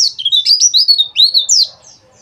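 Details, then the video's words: Quick, shrill twittering from a white-eye in the dakbal style, used to trigger singing in kept birds. Notes swoop up and down in a rapid, continuous run that lasts under two seconds. "PLECI DAKBAL BUKA PARUH"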